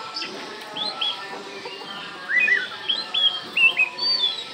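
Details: Oriental magpie-robin song played as a lure to provoke silent birds into singing: lively, varied whistled phrases, some rising and some falling, delivered in quick bursts over steady humming background tones that resemble music.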